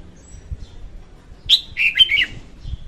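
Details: Female red-whiskered bulbul, recorded as a trapping lure, gives one rapid phrase of sharp, warbling whistled notes over a soft low background rumble.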